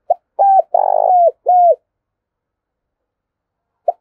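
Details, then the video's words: Decoy spotted dove (cu gáy mồi) giving an urgent gù coo and calling song: a few mellow hooted notes, one longer buzzy rolling middle note, then a falling coo. Silence follows until a single short note near the end. "Tiếng chim Cu Gáy Mồi Cây Thúc GÙ và Gáy Gọi Cực Sung"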